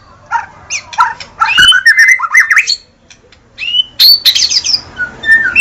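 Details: White-rumped shama giving a short warbled phrase of whistles, then a pause, then a bright, high, buzzy burst and softer whistles.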